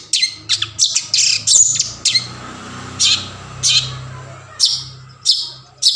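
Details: Long-tailed shrike in a forest-style song used as a lure to get silent shrikes singing: harsh, broad bursts at irregular intervals mixed with brief high chirps, over a low steady hum.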